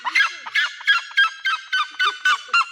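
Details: A captive Red-legged Seriema at a bird show in Bridlington Animal Park, Yorkshire, throws its head back to give its loud, harsh, yelping alarm call, about eight hoarse notes at roughly three per second.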